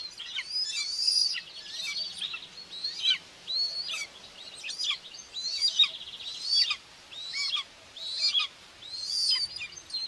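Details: At Tiszalök, Hungary, on June 2, 2024, a common buzzard mother feeds two chicks at the nest, recorded by a nest camera: repeated high, arched whistled calls in bursts, some shrill and overlapping, over ten seconds.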